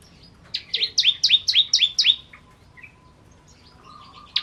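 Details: Ciblek, the bar-winged prinia, giving kristal song: a quick run of about seven sharp, high, downslurred double notes, followed by soft scattered chips and a faint low whistle.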